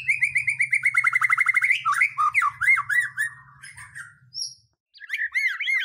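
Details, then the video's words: White-rumped shama song played to provoke rivals into singing: opens with a fast trill of identical notes, then shifts to varied looping whistles. A brief silence is followed by more warbled phrases. A low hum sits underneath at first. "Pancingan murai batu mendongkrak keluar isian"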